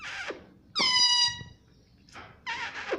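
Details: Pet ringneck parrot kept indoors, talking and saying "mummy papa"; a long, flat, harmonic-rich squawk-like syllable follows short harsh bursts, with quiet room noise between.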